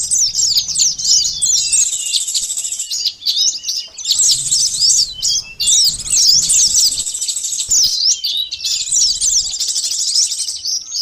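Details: Sunbird lure song from Indonesia, locally called konin, sogon or korlap: long bursts of hurried, high-pitched twittering and zigzag chirps separated by brief pauses, with a soft low hum in the background.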